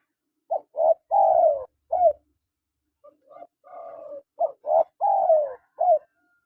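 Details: Spotted doves, male and female, give rapid runs of short coos, each run ending in a longer downward-bending coo, two runs separated by a brief gap.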